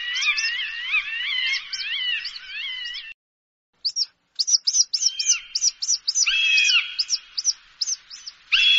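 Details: Hawk calls played to scare away birds: rapid runs of sharp, ringing harmonic notes repeated several times a second, then a short silence and a looser series of clipped notes with a few drawn-out tones.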